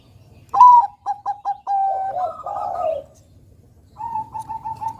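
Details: Zebra dove of the Bangkok type, a keen singer used to spur young birds into song. Clipped stuttering coos, four in quick succession, swell into drawn-out falling coos. After a pause a new phrase of rapid wavering coos begins.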